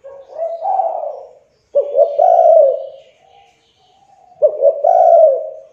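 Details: Lure recording of a young spotted dove meant to coax silent doves into calling; soft low coos run together, a stammering two-note start followed by a longer warbling coo, repeated three times.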